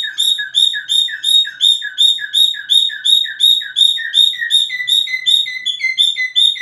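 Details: Cockatiel whistling: a loud, rapid run of bright, clipped chirping notes, nearly three per second, each a quick upward-then-down flick, the notes slowly dropping in pitch toward the end; otherwise quiet.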